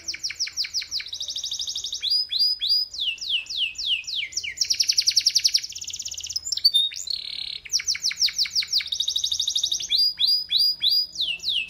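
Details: Energetic canary singing: clipped downward notes fired in rapid series, broken by long metallic buzzing rolls and high sweet trills, the tours shifting repeatedly over the whole stretch.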